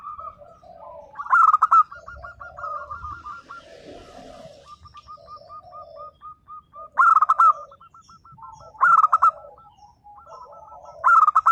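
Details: Local zebra dove singing: rapid strings of soft, staccato cooing notes at a steady mid pitch, broken by louder rolling bursts every few seconds; a brief rustle midway.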